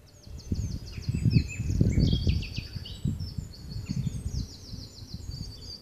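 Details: Wild nightingale in song at Loxwood, 18 April 2015, captured with a Samsung phone: a dense, continuous run of high, rapidly repeated notes and trills, with strong gusting wind rumbling underneath throughout.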